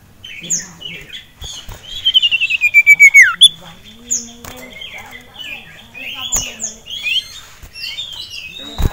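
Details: Male sirtu kept caged, riled up by a rival and a female, sings a fast pulsing trill that slides downward, then scattered high chirps and twitters; occasional taps and clicks.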